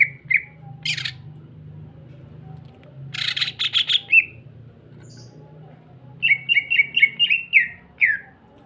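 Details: Greater green leafbird giving lure song to prompt other leafbirds to sing: harsh buzzy bursts, then a fast even string of about seven whistled notes and a final downslur, over a constant low background hum.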